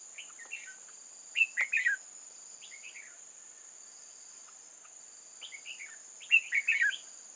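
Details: Trapping decoy red-whiskered bulbul, recorded 8 October 2018, luring wild bulbuls: short warbling phrases of bright, falling chirps, the loudest two several seconds apart, with a steady high-pitched insect whine throughout.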